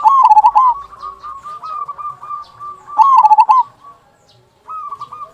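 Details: Zebra dove of local stock with a big "kung" voice, used as a lure to set other zebra doves singing; two loud, fast-rolling coo phrases about three seconds apart, with softer steady cooing around them.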